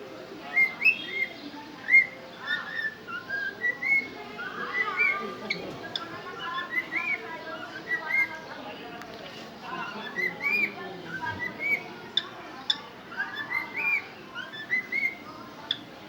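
A cockatiel whistles steadily, mixing rising and falling tones with chirps and scratchy chatter.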